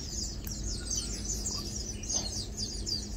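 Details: Lowland white-eyes chilling, feeding and preening give scattered thin high chirps and short descending notes, with a low steady background hum.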